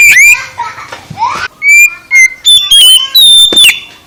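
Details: Oriental magpie-robin singing, used to get a lazy bird to sing: soft twittering and rising slurs, then a string of loud, steady whistled notes and sharp chips toward the end.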